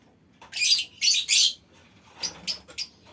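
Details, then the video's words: Colony of aviary lovebirds in long chattering: three loud harsh squawks in quick succession, followed by softer, scattered squeaky notes. "Suara Lovebird Koloni Bikin Burung Lain Ikut Ngekek Panjang"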